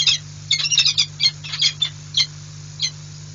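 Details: Peregrine falcons at the Orlen nest site in Płock, Poland, on 6 March 2022, as dinner is delivered to the female: rapid bursts of high, squeaky chittering notes, then spaced single squeaks, over a constant low electrical hum.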